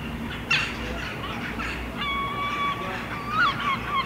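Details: A Herring gull pair and their fledgling on a rooftop in Helsinki, Finland, in July 2015, calling while interacting: nasal, harmonic calls, a rough burst, then a long steady mewing note and thin wavering cries, over faint background noise.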